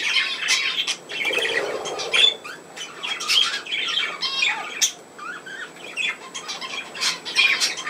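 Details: Budgerigars kept as pets, playing on 27 August 2024, give a steady stream of busy chirping, squeaky twitters and harsh short squawks, rising and falling in loudness.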